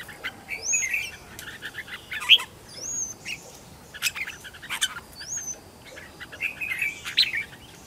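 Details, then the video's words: Red-whiskered bulbul decoy singing during home training to call in wild birds: clear rising whistles repeated about every two seconds, mixed with rapid chattering notes and a background hum. "Chào mào mồi gọi bổi"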